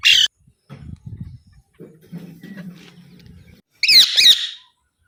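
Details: Harsh, raspy squawks from an Alexandrine parakeet open and close the passage, a brief call first and then a louder double call, with soft low rumbling and handling noise in between.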